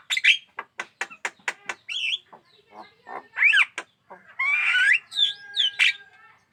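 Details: Javan myna, a captive bird described as actively singing and hand-aggressive, giving a varied chattering song: a run of short harsh clicks and squawks, then rising whistled notes and a long buzzy, warbling phrase.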